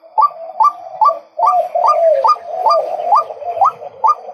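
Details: Male white-breasted waterhen calling in a regular series of about eleven clipped, rising notes, each followed by a lower rasping tail, delivered at a brisk, even pace.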